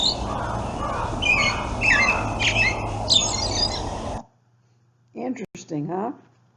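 An American Robin carols in short, clear whistled phrases, about one every half second, over steady hiss and low hum; a man's brief comment follows.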